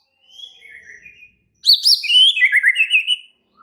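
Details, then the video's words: Active, agitated white-rumped shama: soft thin whistles first, then a loud rapid run of high chirps and warbling whistled notes tumbling downward. "Murai batu langsung EMOSI TERPIKAT suara murai batu ngamuk AKTIF ini"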